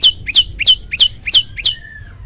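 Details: Yellow-bellied prinia song meant to provoke birds that hear it: six loud, sharp, high chirps in quick succession, each a flicked two-part note, ending in a faint level whistle-like tone.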